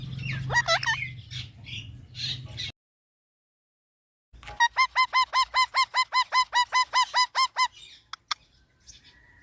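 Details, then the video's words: Talking parrot opens with wavering squawks, then after a silent break delivers a rhythmic run of around fifteen matching clipped notes at an even pace, ending with a few faint chirps. "Parrot talking videos"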